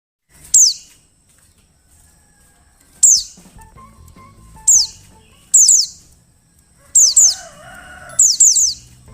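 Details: Female Oriental white-eye calling to prompt males to sing: sharp, thin, downward-sweeping chirps, single or in quick pairs, spaced irregularly by one to two seconds, with a faint low hum beneath.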